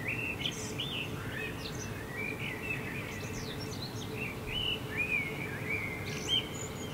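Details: At night in July 2016 in Helsinki, Finland, with a full moon setting over the rooftops, a common blackbird (Turdus merula) sings soft, fluted mid-pitched notes broken by brief high squeaky flourishes, over a steady low background rumble.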